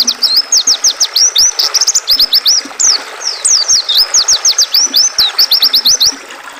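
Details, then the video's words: Oriental white-eye in long, energetic phrases of high, quick, slurred chirps mixed with short twittering trills, with only brief pauses between phrases, intended for conditioning caged songbirds. "Suara burung pleci dan suara air sungai"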